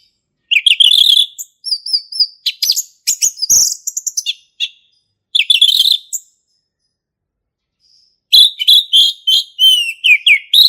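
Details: In the forest, a male orange-headed thrush pours out ngeplong-style song: rich rising whistles, sharp chips and rapid mimic-like twitters in dense phrases of several seconds, with clean gaps between them.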